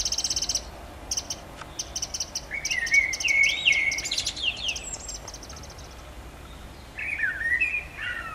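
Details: Mistle thrush in a garden, where a family of two parents and three juveniles visited over about two months, gives bursts of dry, rapid high ticking notes, then short slurred whistled phrases twice, over faint background hiss.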